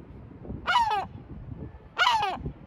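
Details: Sea gull calling in Batumi, Georgia, two loud nasal squawks, each slightly doubled and sliding downward, over low background noise.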